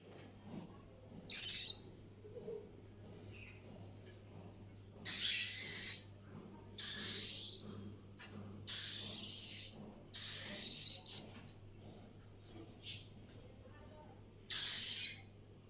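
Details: Cockatiel; begging call; asking for food when hungry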